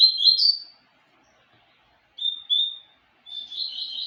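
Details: Seedeater papa-capim Tempestade giving a warbled whistled phrase, a pause, two clean whistled notes, then a buzzier trilled phrase; otherwise quiet.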